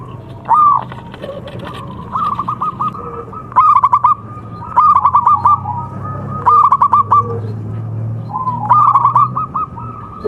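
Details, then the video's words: Zebra dove, a local Javanese contest-quality bird, repeating its song: about five short phrases of fast, stuttering coos, each under a second, spaced roughly every one and a half seconds, with a soft low rumble behind. "MASTERAN PERKUTUT LOKAL SPECIAL KONTES | TURTLE DOVE JAVA BIRD (COLUMBIDAE) SINGING"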